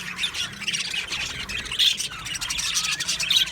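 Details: Australian budgerigars chirping in an aviary: scratchy warbles and squeaky tweets overlap in a constant flock chatter, with a few louder notes standing out.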